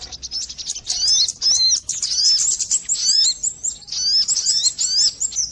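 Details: Crimson sunbird, called sogon, lure audio for catching birds: repeated curved, squeaky high notes with fine rapid ticking chirps, delivered in pulsing bursts every half second or so.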